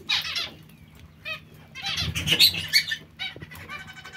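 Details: Zebra finches calling with nasal honks and short buzzy notes, several birds overlapping in a busy cluster, then brief pauses.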